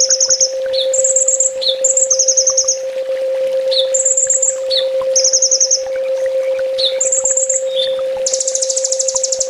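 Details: Sunbird master recording for training birds kept at home: alternating high rattling trills and sharp falling chips, ending in a dense shimmering trill, all over a steady electrical drone.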